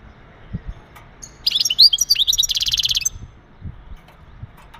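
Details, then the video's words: Male European goldfinch calling to stimulate a female for breeding: a sharp high note, then a rapid string of twittering slurred notes turning into a rhythmic buzzy trill lasting about a second, over faint low noise. "بتبتات ونداءات التزاوج عند ذكر الحسون فعالة في تجهيز أنثى الحسون"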